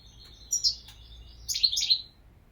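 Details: A European goldfinch gives two brief high chirps, then a rich, quick twittering phrase with a liquid, tinkling tone, over a faint background hum.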